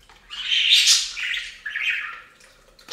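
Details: A budgerigar at a bath fountain gives one drawn-out scratchy, warbling squawk that slides lower, followed by a sharp high chirp at the end.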